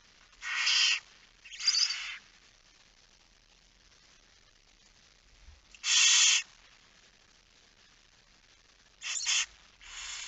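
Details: Barn owl at the nest during a night feeding, 10 September 2019 at 22:45. Five harsh, breathy hissing bursts come in uneven spacing, each about half a second long, with quiet gaps between them.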